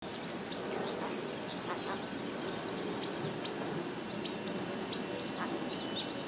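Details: Village weavers building a nest give a busy stream of short, high chirps and arched squeaks, several each second, over a steady rustling, murmuring background.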